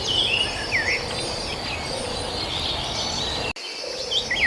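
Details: Rural birdsong with a few clear, high whistled notes, some rising and falling in short slurs, a brief dropout near the end, and steady insect buzz and ambient noise throughout.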